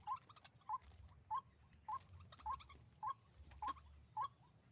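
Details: During waterhen trapping with a hanging snare, a White-breasted waterhen gives short, clipped, upslurred notes at a steady beat, about one every 0.6 seconds, eight in a row over faint low hum.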